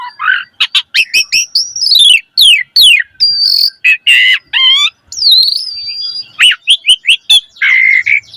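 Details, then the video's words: Full, rich song of a Javan pied starling meant to set young birds singing: rapid clicks and chatter, long descending whistles, buzzy phrases and a held high note, closing on a harsher warble. "Pancingan Jalak Suren Gacor Mompa"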